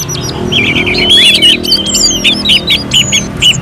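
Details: Contest-style song of an Orange-headed thrush: rapid string of short clear whistled notes and twisting slurs, repeated in quick bursts, with faint higher whistles above and a low background hum.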